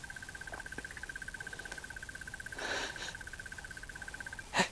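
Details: A Crested Barbet, perched on a treetop during a late-October afternoon bushwalk in South Africa, sings a long, even trill of rapid identical notes on one pitch, like a ringing alarm clock, with a brief rustling noise partway through.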